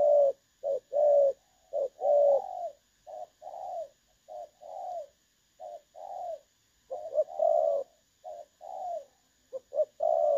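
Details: Spotted dove used for decoy trapping, 16 August 2024, singing in the clear "đồng son" style; a long, fairly irregular string of low hollow coos, short and long notes mixed, some slightly falling at the end.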